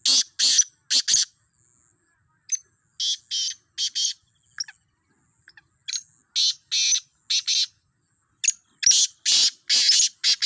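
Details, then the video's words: Black francolins in a calling contest trial of fifteen birds: loud, harsh, grating notes in rhythmic bursts of two to four, separated by short pauses. Near the end the bursts come faster and closer together. "15 کالے تیتر ٹرائل آوازوں کا مقابلہ"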